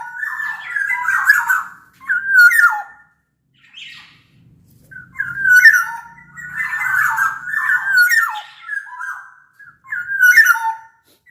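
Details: Black-naped oriole from Sumbawa, used as a master song for training and luring orioles: repeated short fluty phrases with squawky overtones and downward slurs, spaced about one to two seconds apart.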